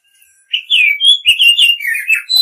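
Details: White-rumped shama song meant to call a female: a continuous warbled phrase of rich, rolling whistles with quick slurred notes running together for two seconds.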